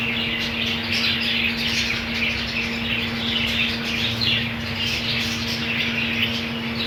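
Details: Budgerigar colony with green food: continuous overlapping chirps, warbles and squawks from many birds, some brighter notes standing out, with a steady low hum behind.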